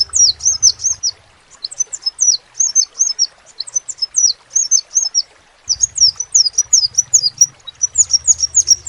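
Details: Crimson sunbird song in lively bursts of very high, looping chirps, spaced groups then a denser final stretch, over an intermittent faint low rumble.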